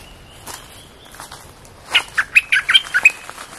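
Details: Short cream-vented bulbul training song for young birds: faint scattered clicks, then a lively phrase of about eight rapid, liquid chirps rising and falling in pitch.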